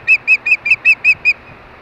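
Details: Osprey at a Hellgate, Montana nest during mating time in the evening; seven loud, clear piping whistles in quick even succession, each slightly downslurred, then quiet.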